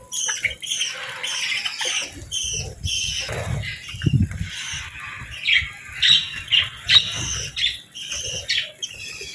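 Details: Budgies chirping in the morning while eating and bathing; separate squeaky chirps and short warbled calls, some sharp, with wing flutters and low thuds between.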